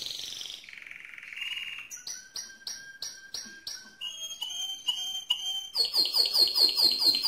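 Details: Loud song of a mosaic canary: a sliding whistle, a series of separate sharp ringing notes repeated about twice a second, then a quick pulsed high rattle.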